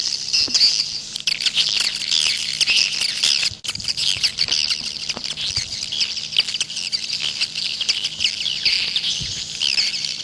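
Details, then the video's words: Steady, dense chorus of swiftlets in a 'jaguar' style call recording, shrill overlapping chirps and twitters running almost without pause throughout. "SUARA WALET jaguar BURUNG WALET"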